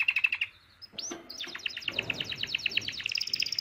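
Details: Mating song of a male canary responding to a female's call: a brief trill, a pause, an upswept note, then a long series of rapid repeated chirps rising into a high trill.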